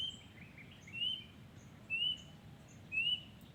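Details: A wild yellow-vented bulbul repeats a short upslurred whistle three times, roughly a second apart, over steady low background noise.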